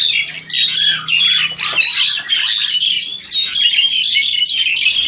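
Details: Caged Crested Myna of about seven to eight months, recorded by phone; bright chattering with thin whistled notes and harsh scratches, delivered in a rapid, unbroken stream.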